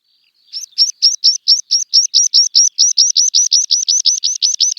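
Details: Meadow pipit singing, a bird of open grassy habitats: a long accelerating series of high, thin, sharply repeated notes, about two or more each second, building steadily in loudness after a brief opening note.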